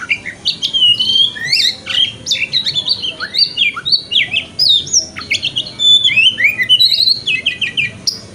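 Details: Kacer, the Oriental magpie-robin, in a 'wikplong' lure song used as morning therapy to coax tail opening. A steady stream of sweet, varied whistles and quick downslurred chirps repeats almost without pause for eight seconds.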